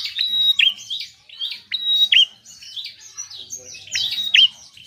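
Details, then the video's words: Bar-winged prinia singing lively, meant to get reluctant birds to sing: high, thin chirps and sharp downward-swooping notes, with a bright level whistle recurring roughly every second or two. "Prenjak gacor penarik burung malas bunyi"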